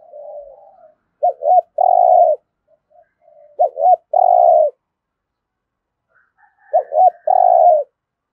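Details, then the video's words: Spotted dove coo-and-challenge sequence in the 'thổ' voice style, aimed at getting fresh wild-caught birds to call; three phrases of two clipped hooting notes and a drawn-out falling coo, with faint murmured coos in the quiet gaps. "Tiếng chim cu gáy thúc gù + thúc đấu đủ bài giọng THỔ giúp bổi nhanh nổi"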